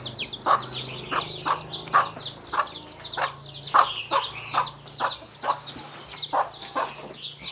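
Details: Mother hen calling her chicks to come and eat, giving short low 'kuk kuk' clucks about every half second, about thirteen in a row, over a steady backdrop of high, thin, falling peeps from chicks.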